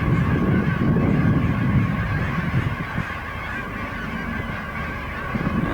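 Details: Massive flock of Canada geese settling in a field before nightfall; a dense, overlapping chorus of low honks, loudest in the first two seconds and then easing off.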